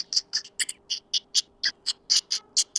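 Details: In winter, a sparrow gives a rapid series of bright, high chirps, about four each second, with a faint steady hum low underneath.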